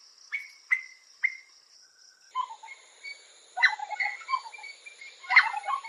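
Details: Sri Lanka Spurfowl, a terrestrial forest bird living in pairs in lowlands and hills of the wet zone. Its rollicking call opens with three short piping notes over a steady high hum, then breaks into a jumbled run of varied notes.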